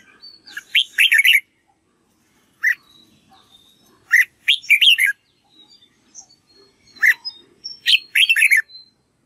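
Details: Red-whiskered bulbul rehearsing song used to train young birds: three bright, jumbled whistled phrases of about a second each, spaced roughly three seconds apart, with faint thin notes and short chirps between.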